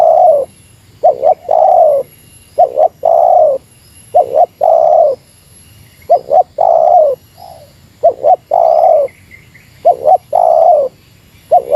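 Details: Meratus-style call of a spotted dove set against a rival: repeated triplets of two short hooting notes and one long vibrating coo, about one phrase every two seconds, with faint background tones.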